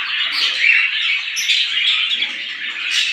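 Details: A flock of small birds calling in the morning, an unbroken stream of thin, bright twittering notes layered over one another, with a few sharper high squeaks.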